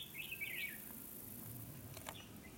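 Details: A red-whiskered bulbul used as a fighting-lure decoy in a trap gives one quick bubbling phrase of bright, warbled chirps, then falls quiet under a steady background hiss and faint clicks; a wild bird is caught within two minutes.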